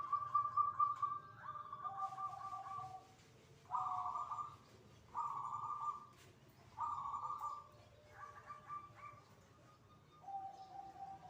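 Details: Zebra dove (perkutut) in song (manggung) at dzuhur prayer time: a series of short rolling coos, each about a second long, repeated with pauses and alternating between higher and lower tones, over a quiet background.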